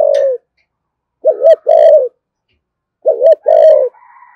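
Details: Spotted dove cooing in thổ sấm style with thúc gù and calling coos: loud, clear low phrases, a quick rippling double note then a longer even coo, about every two seconds, with a faint higher tone at the end.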